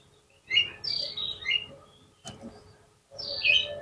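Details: Oriental magpie-robin song played as a lure to provoke a rival to answer quickly: a burst of loud, varied whistled and warbled notes, a sharp click midway, then a second bright, twittering phrase after a short pause.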